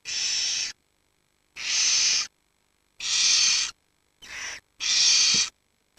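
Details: Barn owl chicks huddling in a warming pile, 7 to 19 days old, with the parents away hunting; five rough hissing bursts of uneven length, one shorter and quieter, spaced by brief silences.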